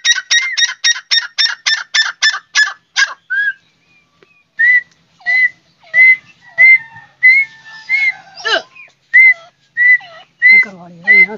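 A partridge gives a quick run of about ten harsh, rasping notes, then a steady series of clear whistled notes roughly every half second.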